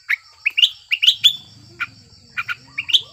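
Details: Sooty-headed bulbul in breeding condition, singing to provoke silent bulbuls into song: short bright chirped notes in loose clusters, some rising and slurred, with a faint low hum underneath.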